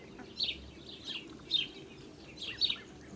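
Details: Blue Muscovy duck mother with her ducklings on a farm, 8 July 2017: high, thin peeping chirps in short clusters, about one burst every second, over a low background hum.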